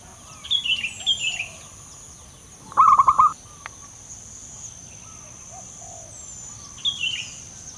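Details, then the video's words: Single rolling phrase of staccato low coos from a loud-voiced local male zebra dove, set among brief twittering calls of other birds before and after and a steady high whine. "burung perkutut lokal jantan gacor suara besar"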